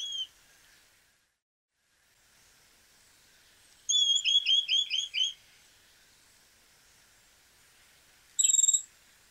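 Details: A Chestnut-crowned Becard gives a rapid series of about six high, sweet whistled notes, followed a few seconds later by a single clear whistle; otherwise quiet.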